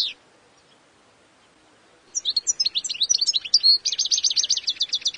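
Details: After a short note and two quiet seconds, a wild European goldfinch bursts into a bright twittering phrase ending in a rapid rattling trill of repeated high notes.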